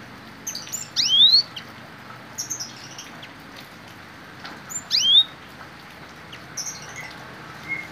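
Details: Cinereous tit singing, its song mixed with learned Bar-winged prinia phrases: paired bright upward-slurred whistles in short bursts separated by pauses of several seconds, with faint chirps between.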